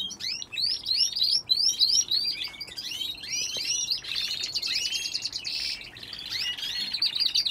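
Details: Aviary canaries singing: quick series of rising and falling chirps, then a sustained buzzy trill near the middle, followed by more mixed twittering and rapid notes.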